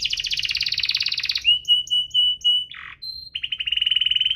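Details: Canary 'cuit-cuit ngerol' song for stimulating slow-singing canaries; a rapid buzzy trill drops to a pure, pulsed whistle, a brief harsh note, a high whistle, then another fast rolling trill.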